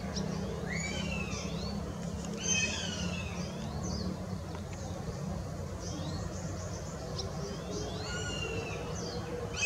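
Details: Juvenile northern goshawk excitedly calling as food arrives, recorded 20 June 2016; a series of thin, high, downslurred whistled cries repeated over and over, clustered in bursts, over a steady low outdoor rumble.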